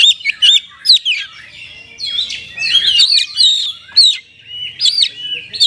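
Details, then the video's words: Oriental magpie-robin singing in the kacer rasa kapas tembak style, mimicking another songbird: rapid, varied whistled and chattering phrases with sharp up-and-down sweeps, bursts separated by short pauses, faint low background hum. "ISIAN KACER PALING BERBAHAYA HOT 🔴 KACER RASA KAPAS TEMBAK ORIGINAL SOUND"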